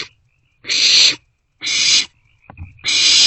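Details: Nighttime nest box with barn owl chicks passing a meal back and forth, 27 March 2024, before 2:06 am; three drawn-out harsh hisses with short silent gaps between them.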